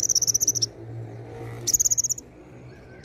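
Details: An olive-backed sunbird, locally konin, in active imitative song: two quick high pulsed trills, each under a second long, separated by a gap with a faint steady low hum beneath.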